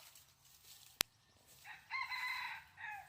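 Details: Wild junglefowl crowing in 2020 while being lured toward a decoy hen: one sharp click, then a single harmonic crow rising and holding steady before trailing off over the last second.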